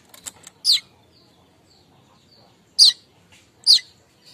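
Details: Streaked weaver chattering kemrecek-style to lure other weavers in the morning: a few faint ticks, then three loud, harsh, high chips spaced irregularly, with a faint low murmur underneath.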